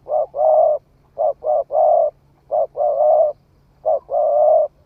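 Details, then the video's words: Spotted dove, a bird that has newly begun calling, tested in the forest: three repeated coo phrases, each a short hoot or two followed by a longer drawn-out coo, with a steady low hum in the background. "Tiếng chim cu gáy mới nổi thử rừng"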